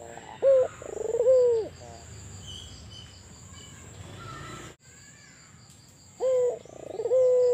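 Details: Cooing of an albino collared dove: a short stuttering note and a drawn-out falling coo open the recording, then a long pause filled with low background hiss, before another coo begins near the end over a steady high-pitched whine.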